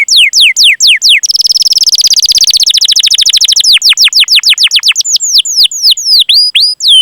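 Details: Loud canary master song used to prompt other canaries to sing. Descending slurred chirps give way to a rapid rolling trill, then a varied run of swooping, upslurred and downslurred chirps.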